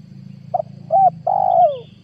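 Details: Spotted dove lure call for wild-dove trapping, 2022. Three-note cooing phrase: a short soft note, a clear coo, then a long, loud coo gliding downward, with a steady low hum beneath.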